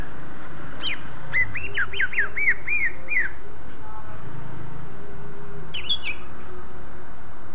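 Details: Greater green leafbird song meant to set off other leafbirds: a quick run of about seven arched, whistled notes lasting two seconds, a pause, then a short high chattering burst, all over a low droning hum.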